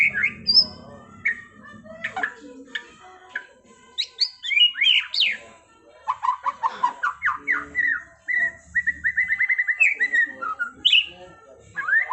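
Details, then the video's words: Caged white-rumped shama in a trill-rich masteran training song: varied whistled phrases, sharp rising and falling notes, a fast rolling run of repeated notes near nine seconds, then more whistled flourishes; low hum underneath. "Masteran Murai Batu TRONTOLAN NGEROLLLLLLL Edan!! GACOR X Roll"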